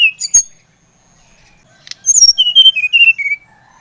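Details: Brown-chested jungle flycatcher from Bali, played to stimulate another bird to sing: two opening whistles, a pause, then a quick descending string of clear whistled notes.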